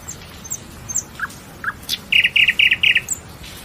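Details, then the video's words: Nightingale delivering a phrase of thin high whistles and downslurred chips that gives way to a loud, regular volley of five buzzy, rattling notes, each clearly separated, before a final high note. "Lose Yourself in the Nightingale's Song"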